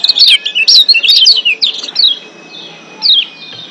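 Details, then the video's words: Wild-caught Lombok white-eye (kecial kuning) in breeding excitement, giving a fast burst of high, thin chirps and down-slurred twitters, then a pause and one last descending twitter. "Ciak Joss Kecial Kuning GEBOKAN LIAR Ampuh Naikin BIRAHI Bikin AKTIF BUNYI"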